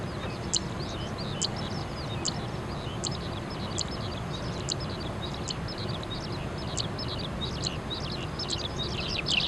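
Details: Crested lark (Galerida cristata) near Islamabad, Pakistan, sings a fast, continuous jumble of thin, high twittering notes over a steady low rumble like distant traffic.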